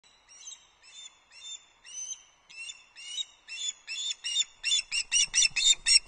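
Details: Osprey at Loch Arkaig delivering an early breakfast to the nest on 31 August 2022: high, whistled chirps repeated about four times a second, growing louder and faster toward the end.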